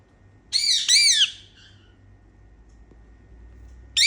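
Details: Pet Indian ringneck parakeet during playtime indoors, making happy sounds: two loud, harsh, arched squawks in quick succession, then near silence before another squawk begins.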